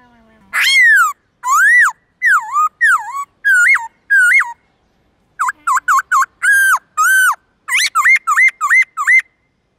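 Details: Black-throated laughingthrush pouring out a varied morning song in the 'forest voice' style: about twenty loud whistled notes, some swooping down, some looping up, delivered first in a steady series, then a short pause and a faster run.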